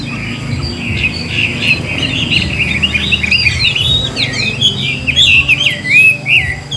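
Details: A wild-caught adult Chinese hwamei with a forest-type voice, singing with tail flicks, pours out a loud, varied song of rich whistled phrases, slurred up and down and barely pausing, over a low background hum.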